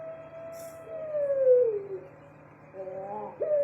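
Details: A pelung turtle dove kept in a cage gives a long, smooth, falling coo, then a brief wavering note and the start of another call, with a low background hum.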